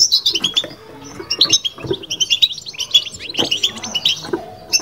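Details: Kept European goldfinch delivering batbata twittering: clusters of bright, high, metallic chirps and trills separated by brief gaps, with soft low thuds behind.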